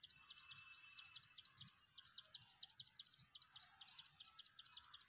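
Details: Plain wren-warbler calling in Magadi, India, on 23 September: dense runs of sharp, high-pitched chirping notes in uneven clusters, with a faint steady high tone early on and soft low rumbles beneath.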